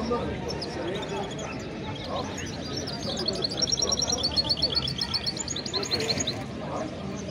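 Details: Goldfinch × canary hybrid, a cross of a male goldfinch and a female canary, sings thin, high twittering and trilled notes through the middle seconds over a steady murmur of background noise.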